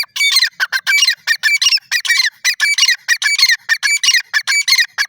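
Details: Grey francolin, known locally as jungle teetar: loud, harsh, rapid notes in tight clusters, repeated in a steady, fast rhythm with brief gaps between the groups, with no other sounds in the background.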